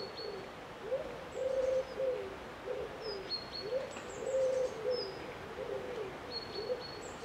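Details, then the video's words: Eurasian collared dove giving its call, louder three-note phrases of low, soft coos with the middle note stressed, repeated several times, with faint high whistled notes from other birds behind. "Collared Dove"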